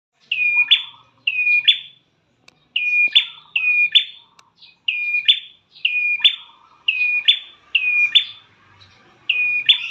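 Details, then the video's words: Prinia lure call, used to make caged birds sing: a steady whistled note followed by a sharp upward flick, repeated about every second in quick pairs and runs, with faint lower chatter between. "Pancingan Prenjak Klawu"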